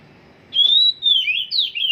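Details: Oriental magpie-robin in training, singing a long clear whistle followed by two falling slurred whistles.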